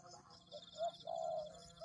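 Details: Short spotted dove lure phrase for tekukur: a soft hoot, a brighter short coo, then a long level coo, against a faint steady high-pitched drone.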